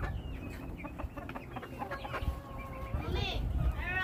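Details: Flock of chickens giving repeated clucks and drawn-out harmonic calls, a couple of louder rising squawks toward the end, low rumbling background.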